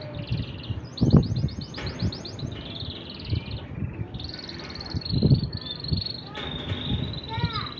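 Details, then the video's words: Two male canaries singing in turn without stopping: high rapid trilled rolls and sustained buzzy notes, alternating phrases, over a strong low rumbling background with occasional knocks. "Два кенара поют по очереди, без остановки."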